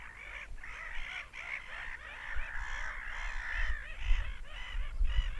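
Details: Screaming seagulls form a thick, blurred chorus of harsh cries that swells and fades in bursts roughly every half second, with deep rumbling noise underneath.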